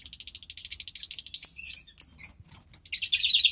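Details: Lovebird chicks, two young from white pastel violet and pastel mauve parents, March 3rd, 2021: rapid thin chirps and squeaks, irregularly spaced, building into a dense raspy chatter at the end.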